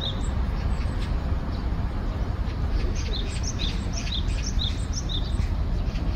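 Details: In spring, a Japanese tit seeking a mate sings thin, high two-note phrases, repeated about twice a second, faint over a steady low rumble of background noise.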